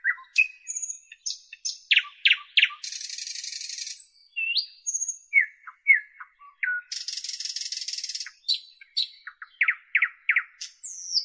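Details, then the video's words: Nightingale song: varied phrases of sharp descending whistles, buzzy broadband rattles lasting about a second, high pure whistled notes and rapid repeated chips, separated by short pauses, with a clean quiet background. "Nightingale Birdsong"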